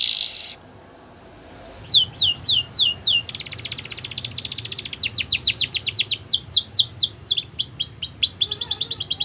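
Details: Border canary song for training young canaries: a short whistle and pause, then descending sweeps, a long rapid trill, and further runs of fast downslurred notes.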